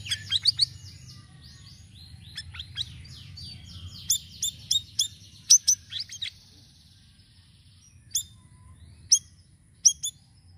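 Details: Sirisiri in varied song for luring birds: fast high twittering and trilled phrases at first, then bursts of sharp chips, and later a few isolated loud notes spaced apart.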